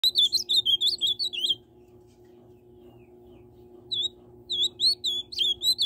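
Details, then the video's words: Ultramarine grosbeak singing the tucano-style song: a rapid burst of sweet, warbled whistled notes for about a second and a half, a pause, then the phrase starting again, over a faint low hum. "Azulão tucano"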